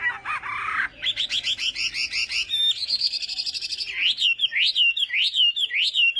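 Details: Hwamei in morning voice-training song, fighting style: a buzzy opening burst, then rapid repeated notes stepping higher. It ends in a run of slurred, looping whistles repeated about twice a second.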